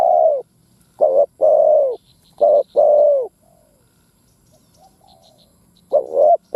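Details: Decoy spotted dove, its 'thúc gù gáy' calls meant to excite other doves: a rapid run of double coos, short quavering notes alternating with long mellow ones, then a pause and a new phrase, with faint high chirps.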